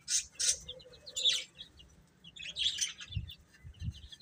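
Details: Baby chickens chirping: a few bright, high peeps in short bursts near the start and again around the middle, with quieter gaps and faint low thumps near the end.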